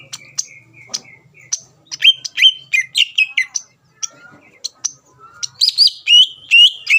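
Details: Provoking song of a greater green leafbird, played to make rival birds respond: scattered sharp clicks and short flat whistles, then bursts of rapid rising and falling whistled notes, about two or three per second, over a faint low hum.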